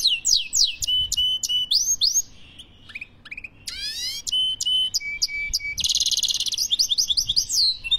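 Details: European goldfinch, Algeria, pouring out a lively twittering song of upswept whistles and sharp chips, a quieter stretch mid-phrase, then a fast descending trill, a harsh buzzy rattle and more bright chirps.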